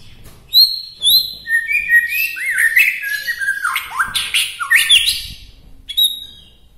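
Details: A white-rumped shama from Bahorok, Medan, sings a rich varied phrase said to provoke other shamas: high whistled notes followed by a dense tumble of swooping, squawky and warbled notes, ending with a few thin whistles.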